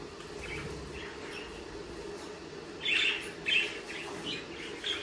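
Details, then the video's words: Budgerigars chirping: short, bright twittering notes, sparse at first, then a louder burst of warbled chirps in the second half, over a steady low background hum. "Sonidos de periquitos Australianos"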